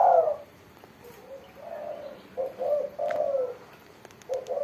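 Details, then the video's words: Spotted dove with a crisp 'mersik' voice: a loud drawn-out coo opens, then fainter coos follow, then a clearer burst of two or three low, rounded notes near the end. "burung tekukur derkuku gacor suara mersik"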